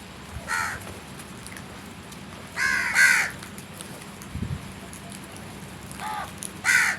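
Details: Crow calling outdoors: a single harsh caw, then a doubled pair of loud caws near three seconds, then two more spaced caws toward the end, over a steady low background hum.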